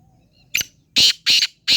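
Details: Black francolin calling: a faint click, then three loud harsh grating bursts, each about a tenth to a quarter second long, spaced under half a second apart, on a quiet background.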